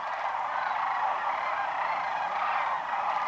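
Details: Wintering sandhill cranes, thousands arriving at Whitewater Draw in southeastern Arizona around midday, January 1, 2012, back from foraging in fields; an unbroken wall of overlapping rattling, bugling calls that swells and fades slightly.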